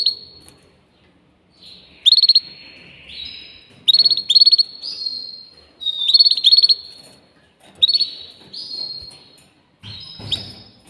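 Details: Canary song in phrases every couple of seconds: sharp rattling bursts of rapid notes, each followed by drawn-out level whistles and softer warbling, with short pauses between phrases.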